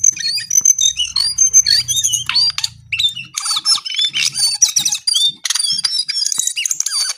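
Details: Brown-eared bulbul singing: a dense, continuous stream of high, sharp chirps, whistled slurs and rapid trills, with overlapping notes packed tightly for the whole stretch and only brief pauses.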